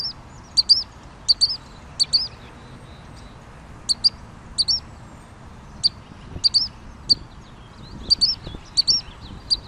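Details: Pygmy nuthatch in North America delivering a steady series of high, sharp peeping notes, often doubled into a squeaky twitter, roughly one cluster every second, with faint low rumbling in the background.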